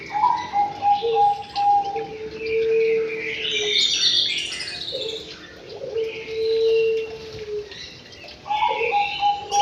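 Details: Aviary white-rumped shama: long, pure low whistles held for a second or more, repeated, broken by a mid-clip burst of high jumbled warbling and short higher whistles at both ends.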